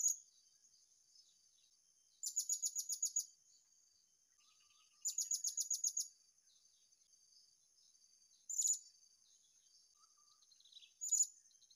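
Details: Wild blue-crowned hanging parrot calling while being searched for at a new spot: two bursts of rapid, very high, shrill ticking notes, each about a second long, then single sharp piercing notes, against a steady high insect hum.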